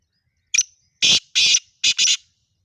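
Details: Black francolin call played to make a pet francolin call: one short clipped note, then three loud, grating, rasping bursts in quick succession.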